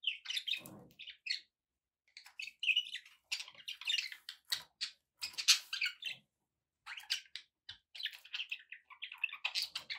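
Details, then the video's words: Pet budgies keep up busy, continuous warbling chatter, with rapid chirps, buzzy notes and clicks running almost without pause. "relaxing budgie sounds for your birds"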